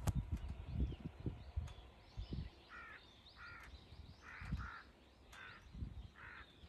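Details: A crow caws at a hawk in a three-crow confrontation recorded 21 October 2023: after quiet thumps, a run of about six coarse, harsh caws, some paired closely together.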